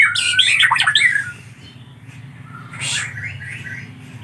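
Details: Young collared kingfisher chicks begging with a loud burst of grating, squawky calls that fades into quieter rasps after a pause, over a steady low hum.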